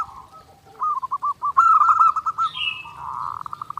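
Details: Zebra dove song, recorded as clear training material: a soft low coo, then a burst of fast clipped cooing notes and a brief rolling trill, with a higher thin sound overlapping near the end.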